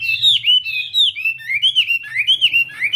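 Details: Chinese hwamei in morning contest singing and voice training, delivering a bright, flowing string of looping whistled notes that swoop up and down in quick succession, loud and clear throughout.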